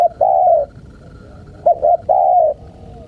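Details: Spotted dove call, played to lure wild birds: low hollow cooing phrases, one drawn-out coo, then two short clipped notes leading into another long, slightly wavering coo.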